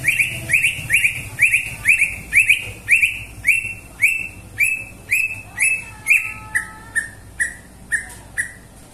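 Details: Greater green leafbird song: long steady series of loud, upward-slurred whistled notes repeated roughly twice a second, shifting midway to lower, shorter whistles with one drawn-out lower tone.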